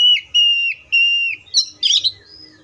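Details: Oriental magpie-robin whistling three steady, pure notes, followed by a burst of rapid scratchy, jumbled chattering and a soft trailing whistle.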